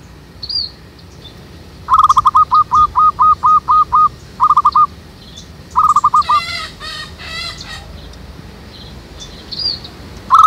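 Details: Zebra dove used as a lure for trapping doves in a jackfruit tree behind a house. It gives bursts of rapid, rolling, mid-pitched notes in quick series. A different, harsher bird call and faint chirps are also heard.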